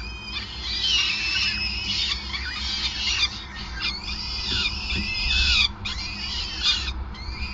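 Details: Peregrine falcon at its Groningen nest in the Netherlands on 5 May 2020 while feeding: arching, whining high calls rising and falling, several in quick series, with steady low mechanical hum throughout.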